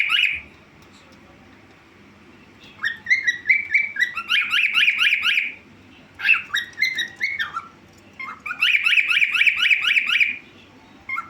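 A cockatiel gives repeated shrill, squawky whistles in bursts, calling for attention.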